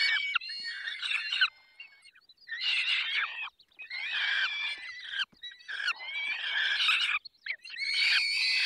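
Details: Peregrine falcon at feeding time, 20 May 2021, 10:22, Barycz Valley: rough, wailing squawks in uneven bursts, some drawn out, with brief quiet spells between them.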